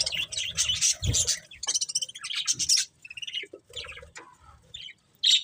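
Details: Budgerigars chirping in short bursts of bright, high twittering and warbled notes, separated by quiet gaps, ending in one sharp loud chirp.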